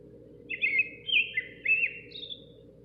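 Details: A Common nightingale singing outside a kitchen window gives three quick, warbling high phrases about half a second apart, ending on a thin higher note, over a steady low background hum.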